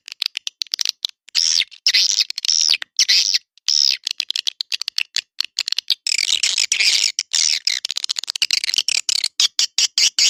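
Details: Edible-nest swiftlet calling for swiftlet houses, Naga Emas lure style: looping high chirps that rise and fall, then a dense stretch of buzzy twittering and quick clicks.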